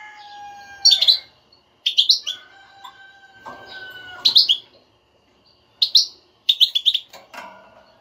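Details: European goldfinch twitter in the بتبتة style, played to excite a non-singing goldfinch: dense, jangling clusters of high chirps alternating with short pauses, over sustained level background tones.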